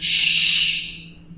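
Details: A barn owl, from birds that roost at night near a campus physics building, gives one harsh, hissing screech lasting about a second, loud at first then fading, over a faint low hum.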